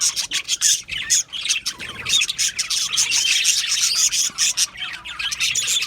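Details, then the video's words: Australian budgie colony in an aviary chirping loudly, quick clear tweets and warbled notes pulsing in short bursts one after another. "Budgie Chirping Sounds"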